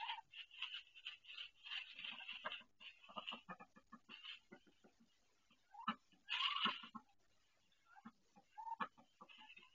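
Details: Pained calls from a female duck delivering her first egg on a nest she built, watched by camera after being brought in: runs of short rasping quacks in quick series, brief gaps, then a loud harsh squawk and renewed hoarse notes.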